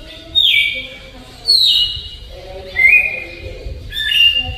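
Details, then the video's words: Red-cowled Cardinal delivering its unhurried 'canto flauta alagoano': four ringing whistled phrases, downward slurs and a short rising note, separated by pauses of about a second, low background rumble audible. "GALO DE CAMPINA CANTO FLAUTA ALAGOANO LENTIDÃO"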